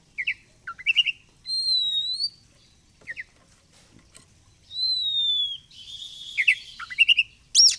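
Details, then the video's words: Caged oriental magpie-robin mixing clusters of quick chirps with long clear downward-curving whistles, ending in a busy run of rising notes and a sharp high chip. "Kacer gacor fighter//ngobra Joss//terapi untuk Kacer susah bunyi"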